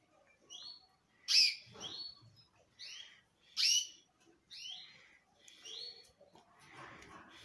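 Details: Loud song of a male canary. Clear whistled slurs and upward sweeps are broken by two strong, harsh chirps, with phrases spaced by short gaps and a soft rustle near the end.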